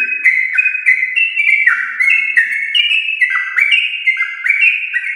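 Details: Rolling 'ropel panjang' song of a champion-line yellow-vented bulbul, played to prompt household birds: unbroken chain of ringing whistled notes stepping down and leaping back up, lively and fast.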